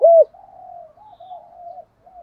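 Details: Spotted dove in the 'thổ pha đồng' voice style: one loud, rounded coo opens, followed by a soft, low, wavering murmur that fades out.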